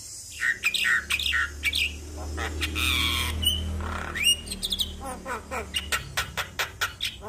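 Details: Black-winged starling in morning song played to encourage a reluctant bird to sing: squawking bursts, a long harsh rasp, rising whistles, then a quick series of clipped chattering notes, over a low steady hum.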